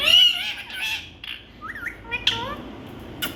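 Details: Indian talking parrots: loud, harsh harmonic squawks at the start, then thinner rising and falling whistled notes and a short sharp burst at the end.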